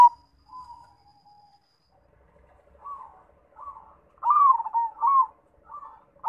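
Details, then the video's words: Local Indonesian zebra dove, or perkutut, giving soft, mid-pitched cooing notes, first drawn out and then short, wavering phrases that grow louder, in a quiet setting. "MACAM - MACAM BUNYI PERKUTUT"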